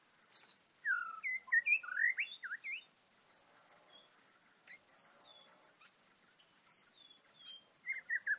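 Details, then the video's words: White-rumped shama, a trapped, angry bird in the wild: a quick run of rich, varied whistled notes swooping up and down, loud for about two seconds, then soft scattered phrases, ending in another short bright burst. "Birds White-rumped shama: Trapping A Angry Bird, Birdsong Chirping In The Wild"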